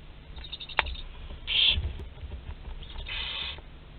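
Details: Inside a barn owl nest box at Théding, France, late April 2021, as prey roams the box: a short loud hiss followed by a longer, quieter wheezing hiss, with rustling underneath.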